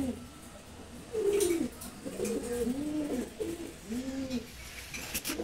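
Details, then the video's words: Silver Gorra pigeon pair gives deep, rolling coos. The arched, wavering notes follow one another about every half second, against faint background hiss. "সিলভার গররা কবুতর জোড়া"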